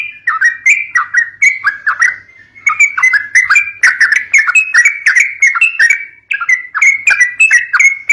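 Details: Sooty-headed bulbul singing to stir up young birds. Steady, repeated, down-slurred whistled phrases come about two per second and carry on for eight seconds with only brief breaks.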